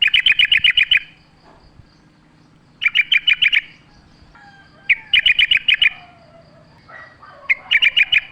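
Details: Yellow-vented bulbul singing wild in the forest: tight bursts of rapid, bright chirps repeated roughly every two to three seconds, with faint softer calls in the gaps.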